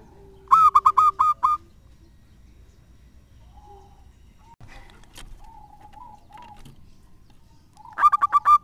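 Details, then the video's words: Local zebra dove used as a lure bird: a burst of five quick cooing notes, then a long quiet stretch with soft distant bird notes and a faint tone, before another rapid run of coos ends the recording. "Perkutut lokal gacor suaranya mantap abis buat pancingan."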